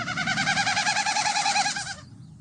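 Wilson's Snipe gives a bouncy, rapid run of nasal, rising-and-falling notes, about ten a second, for two seconds before stopping abruptly.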